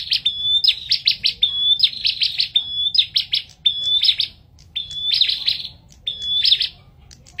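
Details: Bar-winged prinia in energetic song: a level whistled note leading into rapid buzzy chattering bursts, cycling roughly once a second over a quiet background.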